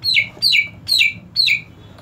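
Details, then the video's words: Greater green leafbird, a caged bird; four loud descending whistled notes, each sliding down sharply, spaced about half a second apart, with a low hum in the background. "Cucak ijo macet bunyi"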